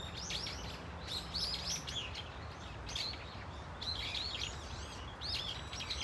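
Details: Flocking Brown-eared Bulbuls, a common resident bird, at Dunsan Grand Park utter loud bursts of wavering, squealing notes separated by brief pauses, against low traffic-like rumble.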